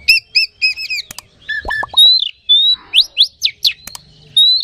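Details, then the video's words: Oriental magpie-robin (kacer) lure song meant to rouse other magpie-robins. It opens with rapid paired high chirps, then a few sharp clicks and low buzzy notes, followed by clear sustained whistles and quick steep upward sweeps. "Suara Pancingan Kacer Agar Cepat Emosi Gacor"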